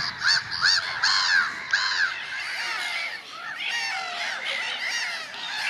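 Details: Gulls in early spring giving loud, strongly harmonic arched cries. A quick burst of four or five calls opens, then softer overlapping cries from many birds continue in the background.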